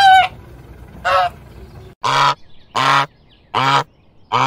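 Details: Goose honking in a farmyard, calling out a run of six loud, nasal honks spaced about one second apart, the first two thinner and higher, the last four deep and full.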